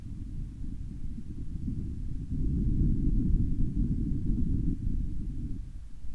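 Steady low rumbling wind noise on the microphone throughout, growing louder in the middle, with no animal calls heard.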